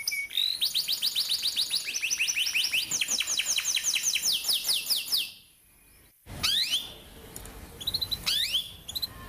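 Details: Atlantic canary rolling song meant as a teaching lure for young birds: a long rapid trill of upswept high notes, a silent gap, then scattered rising whistles.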